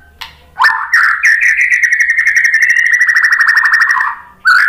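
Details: White-rumped shama song used as a lure to provoke other birds into answering. A sharp opening note leads into a long, rapid, even trill of bright whistled pulses held at one pitch for over three seconds, then a fresh phrase begins.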